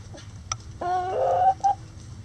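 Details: Rooster crowing in a backyard coop in light rain: a strained, buzzy, sustained note of about a second, then a short clipped note, with faint rain patter behind.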